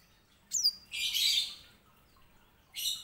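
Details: Grey singing finch (white-rumped seedeater) singing as a tutor bird for canaries: a sharp high chirp, then a dense, buzzy, rapid trill lasting under a second, followed by another bright twittering burst.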